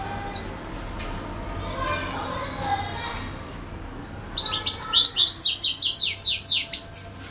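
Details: European goldfinch song, quiet at first, then a lively outburst of rapid, high, tinkling twitters and short trills repeated quickly for about three seconds.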